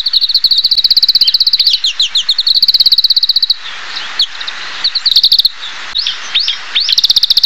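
An Oriental Greenfinch sings a steady, high twittering of fast trills mixed with buzzy, rising and falling notes, pausing only briefly between phrases.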